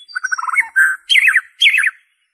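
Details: White-rumped shama song, an original lure recording without mimicked notes, played to prompt captive birds to sing: rapid runs of chattering notes, then two loud rising-and-falling buzzy phrases separated by short pauses.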